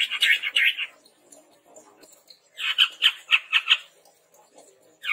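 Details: Red-rumped tepus sound for luring and tutoring birds: rapid harsh squawking chatter in two bursts, notes repeated about four per second.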